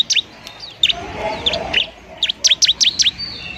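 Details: Bar-winged prinia, a fighting bird used as a lure to stimulate lazy birds to sing, gives scattered high sharp chirps, then a fast even series of bright zipping notes, about five per second.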